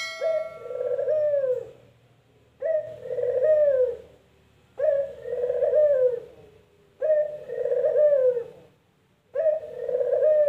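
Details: Barbary dove, locally called burung puter, in its characteristic 'kuk gerruuuk' style: five loud coos, each a short clipped note followed by a long warbling descending roll, spaced about every two seconds, with slight low background noise.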